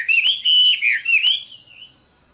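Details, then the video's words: Chinese hwamei delivering a short burst of clear, sustained and slurred whistles with a few sharp clicks, fading out after under two seconds. "Chim họa mi đẹp và hót rất hay"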